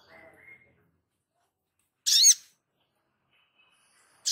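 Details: A sogon in full song, used as a tutor recording, gives a single loud, ringing burst of stacked, wavering notes lasting under half a second, with faint softer chirps before it and a brief note at the end.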